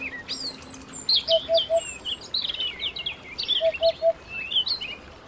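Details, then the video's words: Canary singing at home: dense bursts of high, quick slurred whistles and chirps tumbling up and down, with a short run of three lower, even piping notes heard twice, over a steady background hiss. "canary bird - canary singing - canary sounds - canary singing at home"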